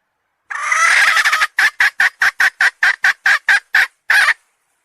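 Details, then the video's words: Domestic hen giving one long, strained, harmonic note lasting about a second, followed by around ten rapid, rasping clucks in an even rhythm. "Suab Poj qaib seev zoo heev"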